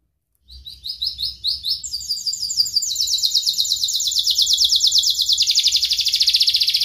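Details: Canary building from short repeated notes into a long, unbroken stream of fast, rasping high trills that grow louder and drop slightly in pitch, a long song used to prompt young canaries.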